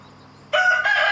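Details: Rooster harassing a mother hen and her chicks: after a quiet start, a loud, harsh, strongly harmonic crowing burst breaks in two steady-pitched parts, cut off after under a second.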